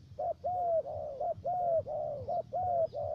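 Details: Close spotted dove cooing, near-continuous long level notes broken by short clipped notes in a steady rhythm. The bird, with a three-note voice, serves as a trapping decoy in U Minh, Khánh Hòa commune, Cà Mau, Vietnam.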